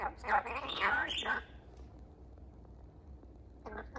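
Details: A rainbow lorikeet giving a warning to be left alone: harsh, raspy screeches for about a second and a half, then near quiet, with one more short rasping burst near the end.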